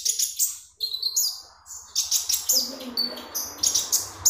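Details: Magpie robin singing vigorously, recorded as a lure sound: fast high chirps and thin whistled notes repeated in tight clusters, a faint lower warble beneath.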